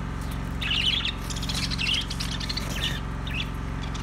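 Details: Budgie warbling in rapid, scratchy high notes with short squawky bursts, backed by a steady deep hum.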